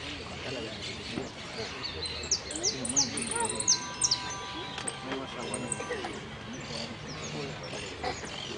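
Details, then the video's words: A hooded siskin, the third-placed bird in the yellow "sin cierre" class at a Quilmes contest on 2 December 2017, sings a rapid run of high, thin twittering notes and downslurred whistles, amid murmuring voices and background chatter. "amarillo sin cierre"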